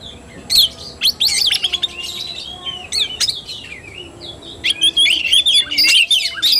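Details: Oriental magpie-robin in fighting-style song (kacer tarung), bursts of sharp chirps, rising and falling whistles and buzzy notes in irregular clusters, separated by short quieter gaps, with a faint steady hum underneath.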